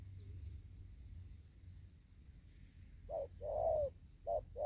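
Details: Spotted dove in an upland farm field, thúc gù coo: quiet at first, then a short note and a long falling coo, followed by two more clipped notes, over a low rumble.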